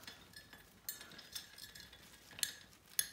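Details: Faint metallic bell clinks, struck at irregular moments indoors while a pet macaw plays with a bell; no bird voice is heard.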